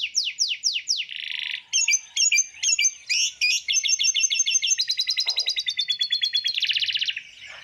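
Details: Masteran training recording for songbirds, full tembakan style, with varied high phrases: downslurred notes, a buzzy burst, then long runs of rapid ticking trills that speed up near the end.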